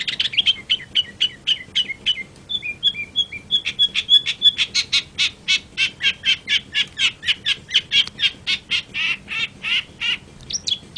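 A long-tailed shrike gives a rapid, varied song of harsh chattering notes mixed with clear whistles, about three notes a second, with no other sounds.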